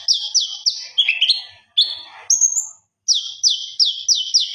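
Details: Common iora (konin) in gacor song that carries on into ngobra, a master recording. Clear downslurred whistles repeat quickly, break into lower buzzy notes and a single high drawn-out whistle, then resume as an even series.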